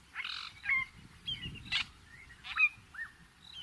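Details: Fork-tailed drongo recorded in natural habitat in Africa: loud, separate, varied notes, some nasal and harsh, others thin rising or falling whistles, spaced irregularly with brief gaps.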